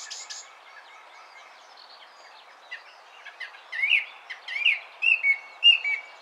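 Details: A Song thrush sings loud, clear whistled notes and sharp chirps in quick bursts near its nest with young in a spruce, in 2019, with fainter birdsong in the background.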